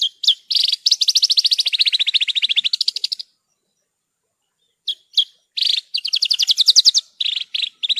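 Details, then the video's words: Branjangan (Horsfield's bush lark) training song: sharp chips that open into a long, rapid, pulsing trill that dips and rises. After a pause, chips return and lead into another rising trill. "Masteran Burung Branjangan"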